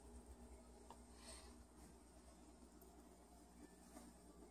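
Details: A steady low rumbling hum fills the room, with faint scattered clicks and no animal voice.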